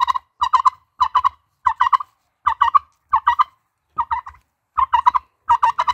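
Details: Turkey gobbling steadily: repeated clusters of two or three fast, gurgling notes, evenly spaced roughly every half second, clear and close with quiet gaps between.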